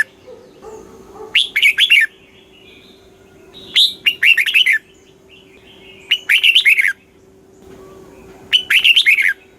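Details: Red-whiskered bulbul (chao mao) song in the southern Thai master style, played to excite caged birds and teach young birds: short bright warbled phrases of about four rapid notes, repeated roughly every two and a half seconds, with a faint steady low hum beneath.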